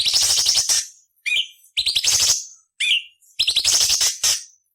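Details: ["Harsh buzzy rasps from a cucak cungkok alternating with brief rising whistled notes, a training recording of 'beset nyerecet kasar' variations for murai, cucak ijo and kacer."]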